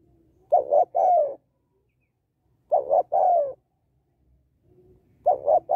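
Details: Female spotted dove calling to rouse males, giving three soft cooing phrases in under six seconds. Each starts with short clipped notes and ends in a drawn-out, slightly descending coo, with quiet low rumble between phrases.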